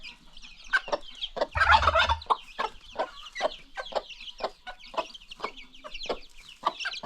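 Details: Free-range chickens with new baby chicks on a farm: a busy stream of short clucks and peeping chirps from several birds, irregular and overlapping, with a brief low rumble near the middle.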